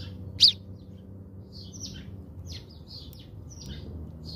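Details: House sparrows at a feeding spot in South Africa give short, bright chirps. One loud note is followed by scattered softer cheeps at an uneven pace, over a low steady hum.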